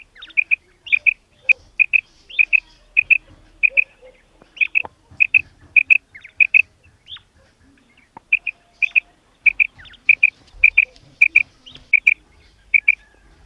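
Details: Female common quail calling: clear high paired notes, twin short whistled pips repeated about twenty times over thirteen seconds with brief pauses, on a quiet background.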